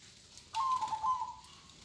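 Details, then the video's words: Local zebra dove, kong song type, delivering one short rolling coo, a soft trilled phrase of under a second with a gentle wavering pitch, against faint background hiss. "Suara Perkutut Lokal Kong"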